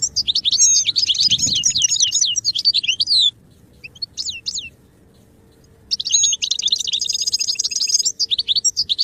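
Goldfinch song: fast, tinkling twitters and liquid trills, high-pitched and rambling, in two long bursts separated by a few scattered notes and a brief pause.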